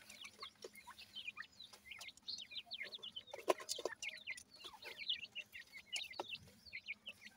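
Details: Feeding grey francolin chicks calling together: dense rapid high twittering chirps throughout, with scattered sharp clicks.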